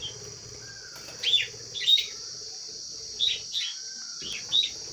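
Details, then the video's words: Lovebird calling while eating food: short, sharp high chirps in pairs, heard four times over a few seconds, set against a steady high-pitched hiss in the background. "Love birds sounds"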